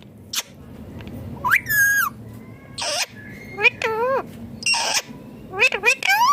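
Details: Indian ringneck parakeet, a green parrot, talking clearly: harmonic speech-like syllables with rising and falling pitch, several short phrases and sharp squeaks spread across the recording.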